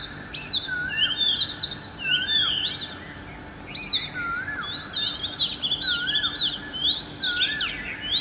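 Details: Oriental magpie-robin (Copsychus saularis) at dawn, delivering a varied musical song of quick rising and falling whistled notes, with lower looping phrases recurring throughout and higher chirps layered above. Light steady background noise.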